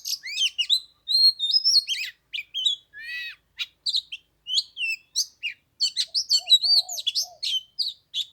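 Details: Caged Oriental magpie-robin singing in 15-degree cold on the third day of Tet, after singing an hour without coming down to fight: varied high whistled phrases, slurred notes, and sharp chips in quick succession, with a brief low warble near the end.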